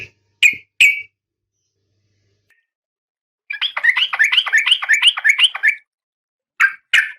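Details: Calling to the male, a breeding-condition female oriental magpie-robin gives two sharp chips, then a long grating, scratchy chatter of rapid wavering notes, then two more chips.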